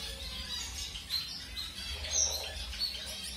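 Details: Newly introduced to a new mate, a colour-mutation zebra finch pair makes scattered high chirps and short buzzy calls, with one clear sharp note near the middle over soft background hum.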